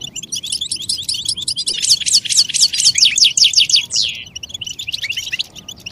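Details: European goldfinch song meant to stimulate other goldfinches to sing: fast liquid twittering, then a loud burst of rapid descending slurred notes around the middle, followed by a drawn-out nasal note and softer chatter.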